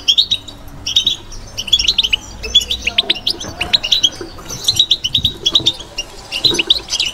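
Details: Batbata-style song of a kept European goldfinch: bursts of bright twittered phrases and short buzzes separated by brief pauses, with soft low knocking sounds in the background.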